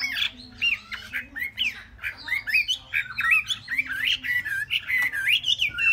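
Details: Chinese hwamei, a caged three-month-old bird in Vietnam, delivering a fast continuous song of looping slurred whistles that swoop up and down, interspersed with sharp clicks and chatter; low steady hum beneath.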